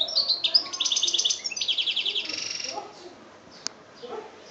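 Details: European goldfinch in Algeria, 2013, singing chbab style: fast twittering opening into a long rattling trill of evenly repeated high notes, followed by soft faint notes and a sharp click.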